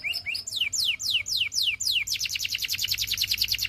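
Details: Belgian canary singing loud descending whistled slurs, about two per second, then breaking into a fast, bright rolling trill; slight low hum in the background.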